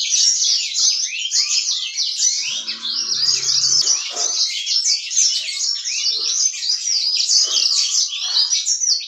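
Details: Yellow-fronted canary in energetic, continuous song: a dense, rapid stream of high twittering chirps and sweeping upslurred notes, unbroken for nine seconds, with faint low rumbling in the background.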